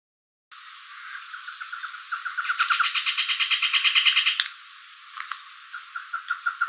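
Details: Black-headed trogon, hidden in the canopy of the Jaguarundi protected natural area, giving a fast series of clucking notes, about three per second, running into a chattering rattle before fading, with insect buzz behind.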